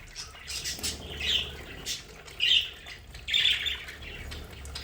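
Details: Pet budgerigars in their play area at home give harsh, scratchy squawks in three loud bursts, with softer chatter between them and a faint low hum underneath.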